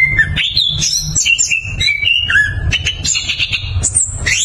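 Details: Orange-headed thrush, recorded as a lure to prompt silent thrushes to sing, pouring out a continuous, varied song of clear high whistles and quick rolling trills with no pauses, over a faint low rumble.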